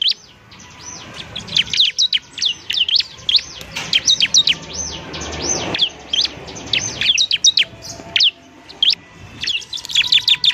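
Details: Ciblek (bar-winged prinia) at the semi-adult stage, singing steadily for training other birds; long stream of high, looping whistled notes in quick bursts separated by short gaps.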